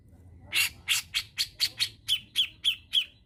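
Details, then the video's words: Spot-necked bulbul used as a lure and tutor recording for songbirds, from Indonesia. About ten harsh, squawky, buzzy notes repeat roughly every third of a second. Faint low rumble sits in the background. "PANCINGAN HEBAT BURUNG MASTERAN CUCAKJENGGOT"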